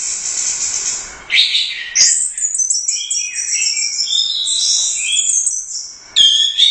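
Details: Winning competition orange-headed thrush from the Royal Cup, in gacor song. A high, fizzy note gives way to a long, fluent string of piercing whistles, trills and twittering phrases, with another bright burst at the end.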